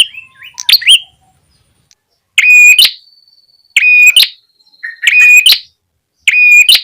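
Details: Ashy tailorbird lure recording meant to bring wild birds close: a short chirping start, then loud buzzy ringing bursts roughly every 1.3 seconds, joined by a thin steady tone.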